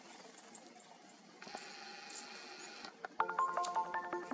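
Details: Quiet room tone followed by bright, ringtone-like electronic notes stepping through a short melody.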